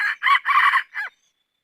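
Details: Rooster crowing: a single loud, harsh crow broken into four rasping segments over about one second. The middle segment is the longest and the crow trails off in a shorter final note, followed by quiet.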